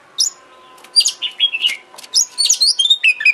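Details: Oriental magpie-robin (kacer) lure song to make the bird sing and open its tail: varied whistled notes and sharp chirps in quick succession, growing busier toward the end.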